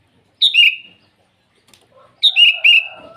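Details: Morning song of a sooty-headed bulbul calling out to rivals: two brief liquid phrases, each a high note dropping into a short warbled trill, separated by almost two seconds of quiet.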